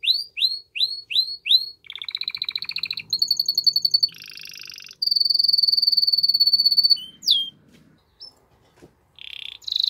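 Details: Strong canary song aimed at prompting the female to mate, built from rising slurred notes, rapid pulsed trills, buzzy rolls and a long steady high trill, each phrase changing every second or two.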